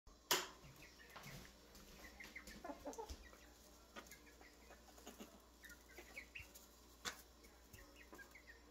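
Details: Pet stepmother hen sheltering a baby chick under her wing, one of three chicks given to her; soft scattered clucks and high chick peeps, with a sharp rustle near the start and another around seven seconds.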